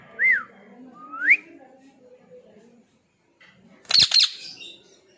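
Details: Pet ring-neck parakeet at home making two quick upswept whistles, then after a short pause a loud harsh squawk, indoors in a small room.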